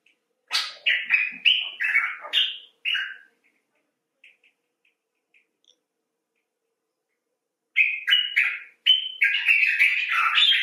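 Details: Common bulbul calling expressively, some birds rescued after injury and others filmed outdoors: a run of rapid chattering, slurred notes, a quiet gap with faint ticks, then another lively burst of scratchy, warbling phrases.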